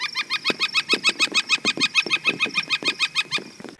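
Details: Northern flicker (Colaptes auratus) song: a long, even run of loud, ringing kick notes, about three each second, held steady at one pitch with no other sounds intruding.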